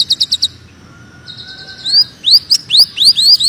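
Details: Greater green leafbird singing in a dense, magpie-robin-like style: quick high chips, then a long thin steady whistle, followed by a string of loud rising whistled slurs repeated in quick succession.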